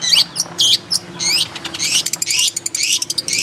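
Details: Long-tailed shrike singing in its natural habitat: short looping whistled squeaks and up-and-down slurred notes, then quick clipped chips repeated in rapid series.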